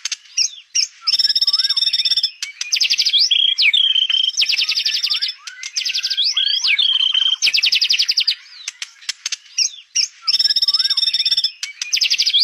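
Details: White-rumped shama in full, energetic song: fast buzzy trills alternate with clear, slurred whistles and sharp chips, in dense, varied phrases that repeat several times a second with brief pauses between bursts.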